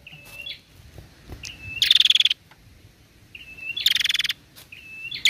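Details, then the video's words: Female prinia call played to stimulate prinias to call: a high whistled note, then a harsh staccato burst of quick ticks, repeated twice, with a few faint clicks between. "suara prenjak betina gacor"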